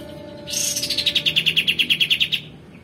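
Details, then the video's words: Male white-eared bulbul, recorded as a training song for other caged songbirds: a harsh rasping start gives way to a fast, even trill of about fifteen short dropping notes before fading. "kapas tembak jantan gacor mp3 cocok untuk masteran kacer dan murai batu"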